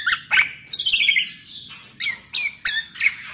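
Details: Black-naped oriole song meant as a lure to make other orioles sing; sharp chips, a descending rippled buzzy phrase, then spaced high clipped notes over a low background rumble.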